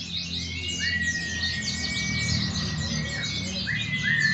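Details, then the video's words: Many white-eyes competing at a weekly pleci practice contest held Sunday mornings in Klaten, Indonesia, June 2020. Rapid, high, chattering trills pour out nonstop from several birds at once, over a faint sustained tone and low crowd hum. "Documentation of the Indonesian KaPeKa zosterops Latber bird"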